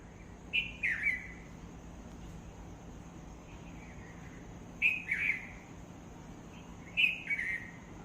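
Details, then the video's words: A bird gives short phrases of a high note sliding down into a warbled, slurred trill, repeated three times over eight seconds with quiet pauses between, over a steady background hiss. "Bird makes beautiful sounds"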